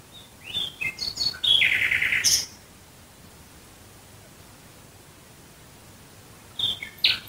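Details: Nightingale song at night near Dresden: clicking notes lead into a dense, grating trill, then a long silence ends with two sharp, high notes.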